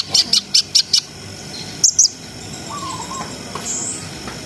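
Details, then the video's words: Brown-throated sunbird used to stimulate breeding arousal in untrained birds: five quick high chirps in an even row, then a pair of sharp notes, followed by faint softer whistles. "SUARA KONIN GACOR NGRIWIK NGEROL SAMBUNG NEMBAK !! COCOK BUAT NAIKNA BIRAHI BAHAN"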